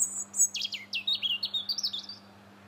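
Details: In January in Linear Park, Bath, a robin sings a fast tumbling phrase: high whistles falling in quick steps, then a string of rapid twittered notes ending abruptly.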